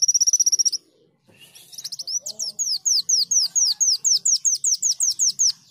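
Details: High, rapid canary-style trill from a greater green leafbird, then a short pause. The bird then launches a steady run of sharp, downslurred whistles, several per second, ending in a bright chattering series.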